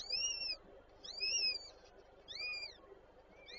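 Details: Peregrine falcons at a nest in Warszawa Żerań, Poland, on 8 May 2023, with the female feeding her chicks; three thin, high, arched calls, each about half a second long, rising then falling, spaced roughly a second apart over a faint hum.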